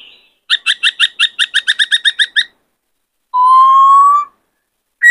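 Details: White-cheeked laughingthrush singing many voices while males are stirred to sing: about thirteen quick, evenly repeated chipping notes, a pause, then one long, steady, slightly rising pure whistle.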